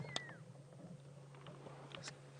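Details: During an evening safari drive on 26 June 2016, a fork-tailed drongo mimics a pearl-spotted owlet with a single clear, high whistle that slides downward, over a steady low engine hum and a sharp click.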